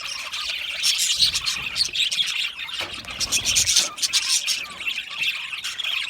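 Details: Australian budgies chirping together in an aviary, bright rapid twitters and squeaks layered densely, swelling louder around the middle.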